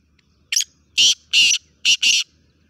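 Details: A black francolin calls in the morning in a village: a short click, then four loud rasping notes in a quick, jerky rhythm, over faint background hum.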